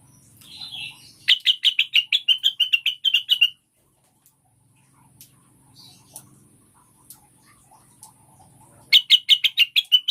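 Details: Cucak wilis (rengganis) lure song for prompting caged birds to sing quickly: a fast burst of bright, sharp chirps, about three per second, wavering high then dropping, with a long quiet gap and a second burst near the end.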